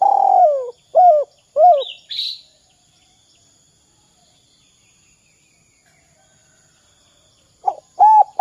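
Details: Spotted dove 'kuk 2' call, meant to draw other doves into calling. A long falling coo is followed by two shorter hooked notes, then a high squeaky chirp, several seconds of near silence, and two more coos at the end.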